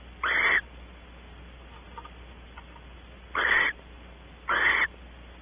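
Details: Barn owls at Audubon Starr Ranch, California, during mating on a porch; three rough, breathy screeches about a second apart after a pause, each short and harsh, with quiet background hum.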